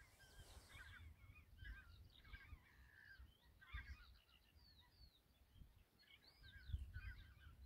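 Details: Many European golden plovers calling in Kogri village, Hiiumaa, Estonia: a busy flock chorus of brief whistled and slurred notes, some rising, some dropping, against constant low wind noise.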